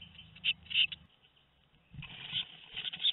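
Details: Two-week-old tit nestlings at Théding, 13 May 2019: shrill, hissing chirps in two bursts, with a quiet second-long pause between them and faint low rumbling underneath.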